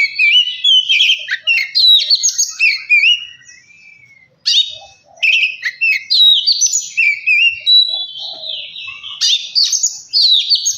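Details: Lure song of an Oriental magpie-robin for getting kacer birds to sing quickly. Rich run of sweet whistles, trills and scratchy notes, a short silence after four seconds, then dense rapid phrases resume.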